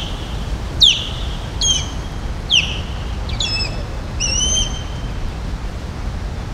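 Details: An osprey calls around Palm Beach, Florida: five clear, high whistled chirps, each sharply inflected, about a second apart, over a low steady rumble of wind or distant traffic.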